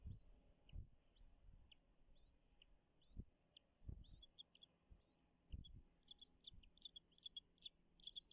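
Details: American bald eagles at their nest on Dale Hollow Lake, a reservoir on the Kentucky-Tennessee state line, filmed by nest camera in natural habitat on 05.03.2022 at 10:58: thin, high upslurred chirps at intervals, then a rapid chittering run, with low knocks and bumps.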